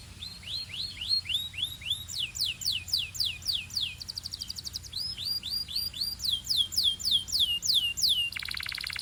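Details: Belgian canary song building quickly: repeated high sweeping whistles in quick succession, a short buzzy trill midway, more down-slurred notes, and a harsh buzzing roll to finish.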